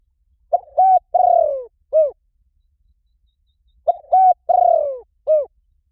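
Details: Two repeated cooing phrases from a spotted dove used as a lure for wild doves, each a short note, level coo, long descending burred coo and arched end note, spaced about three seconds apart.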